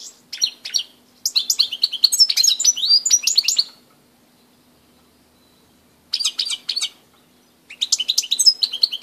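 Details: European goldfinch singing at Grahovljak on 2 March 2016: bursts of rapid, bright twittering and tinkling notes, each run lasting one to two and a half seconds, broken by short silences, with a faint steady low hum beneath.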